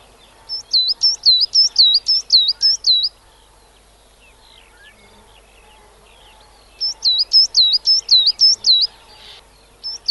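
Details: A UK garden coal tit sings bright, high two-note phrases, about eight quick repeats per burst, with a pause of a few seconds between bursts.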